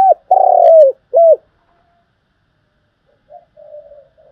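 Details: Cooing spotted dove, the calling type used as a trapping lure: a long, purring, buzzy coo sliding down at the end, one short arched coo, a quiet pause, then a faint murmuring trill.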